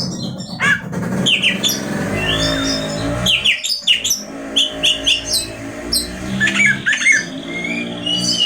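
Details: Oriental magpie-robin in varied song that is said to stir up rival magpie-robins, mixing slurred whistles, short clipped chirps and fast trills over a soft low background murmur.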